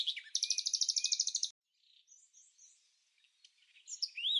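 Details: High-pitched reeling trill of rapid even pulses from Red-backed fairy-wrens in Samsonvale, Australia, during non-breeding-season interactions, followed by a pause and faint scattered twittering that grows louder toward the end.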